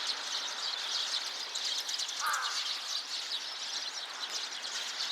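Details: Many sparrows chatter together in a constant high twittering chorus, recorded 26 November 2024, with one louder, lower chirp standing out near the middle against steady background noise.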